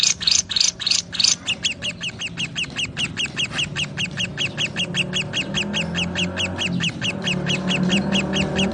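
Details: Lovebirds singing and chirping: shrill, harsh chirps delivered in a rapid, steady series of several notes per second, louder and more widely spaced at first, then continuing evenly without pause.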